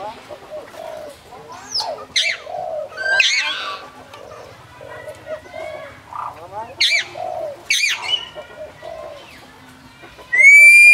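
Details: A common hill myna at Phnom Tamao Zoo, Cambodia, mimics human speech. Short voice-like phrases are broken by loud, clear whistles and harsh squawks, and a sharp tonal whistle closes the clip.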